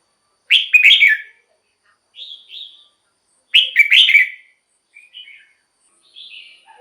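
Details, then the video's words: Song of a red-whiskered bulbul, meant for decoy use or to excite birds. Two loud, chattering, fluty phrases come about three seconds apart, each followed by softer, thinner whistled notes. Quiet gaps separate them. "เสียงนกกรงหัวจุก สำหรับต่อ หรือ เปิดให้นกคึก เสียงเพราะๆ"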